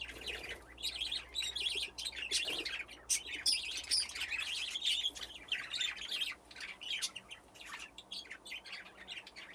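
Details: Budgerigars playing in an aviary with nesting boxes: a continuous busy chorus of chirps, squeaks and warbled chatter from many birds, with faint low background hum.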